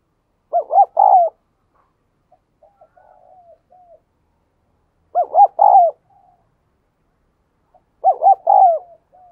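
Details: Spotted dove decoy cooing to stir up and lure males: a loud three-part phrase of quick wavering hoots repeated about every four seconds, with soft low cooing between phrases.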